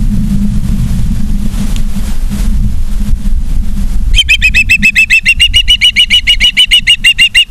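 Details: Osprey at a nest in Charlo, Montana, on 3 September 2023 at 18:54: low rumbling background for four seconds, then a rapid, even series of shrill, piercing whistled chirps, about three per second, until the end.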